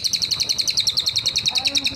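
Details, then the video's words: Singing cililin giving a steady stream of fast, bright, high chips, about ten per second, continuing through the whole two seconds without a break, with low background hum. "cililin gacor dor atas bawa nembak terus cocok buat masteran"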